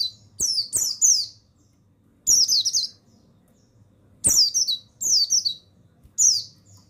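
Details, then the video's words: Male mountain white-eye of the buxtoni form, recorded as a training song to stir other caged birds into full singing, gives five short, high, tumbling twittered bursts with sharp clicks between, over a faint low hum. "Suara Pemasteran yang Untuk Pleci Bustomi Bahan Bikin Burung Pleci Bustomi Gacor Ngalas"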